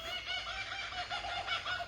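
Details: At least two Laughing Kookaburras call from just above a tree outdoors, one starting after another, in loud chorus: rapid, rolling, laughing cackles and hoots that rise and tumble over each other without a pause.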